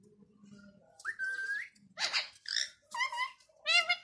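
A rose-ringed parakeet chatters in short bursts of speech-like sound, with a sliding whistle and bright, harsh syllables over about four seconds.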